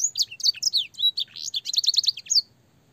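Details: Canary master song with blackthroat and sanger fills for training young canaries: a tumbling run of sharp whistles speeds into a quick trill of repeated notes and stops abruptly after about two and a half seconds.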